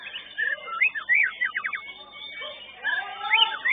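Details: White-rumped shama singing in a bird singing competition arena, giving loud varied whistled phrases: rising and falling slurs, a quick run of short repeated notes, then more sweeping whistles after a brief pause.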